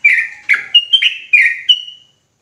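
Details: Sooty-headed bulbul singing intensely in 'ropelan' style, six loud whistled notes in quick succession, each bending sharply, ending on a higher sustained whistle.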